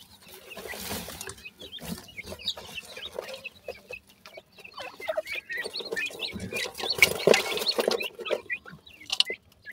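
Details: Grey francolin chicks feeding at the nest make dense, continuous high peeping and thin chirps, several per second. Low rustling and scratching sounds run underneath.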